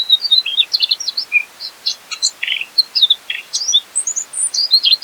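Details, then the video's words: Mugimaki flycatcher masteran song, vigorous and full of isian phrases: varied high chirps, a few descending slurs and buzzy notes, spaced by short pauses across five seconds. "MASTERAN SIKATAN MUGIMAKI GACOR FULL MATERI ISIAN"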